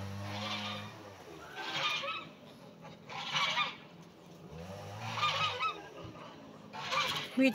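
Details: A black Bourbon breeding male domestic turkey gobbles in short rattling bursts, repeated every couple of seconds, while turning round and displaying.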